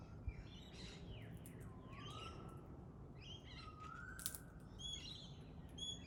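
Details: Pale-headed rosella making sweeping high chirps and piping notes, followed by two long, soft rising whistles, with a sharp click near the start and a steady low rumble behind.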